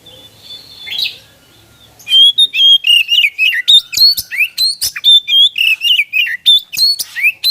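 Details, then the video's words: Oriental magpie-robin in full song, played to stimulate other magpie-robins to sing: after two quieter seconds with a faint whistle, a rapid, continuous run of varied sharp whistles, buzzy trills and rising slurred notes, loud and without pauses. "KACER GACOR!! Untuk merangsang bunyi burung bahan"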